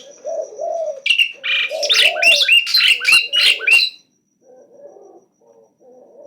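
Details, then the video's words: Asian pied starling, kept bird singing nonstop and boldly challenging: loud harsh rasping burst of squeaky, buzzy notes over about three seconds, with lower repeated cooing-like hoots before and after. "Jalak uren gacor tdk takut Menantang terus BUNYI NONSTOP"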